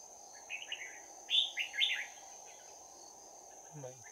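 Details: Trapped Red-whiskered bulbul decoy with a 'bell voice', fighting song recorded 11 January 2019: a run of bright warbled phrases with loud, ringing slurred notes, then quiet before a short low human voice; constant high electronic whine in the background.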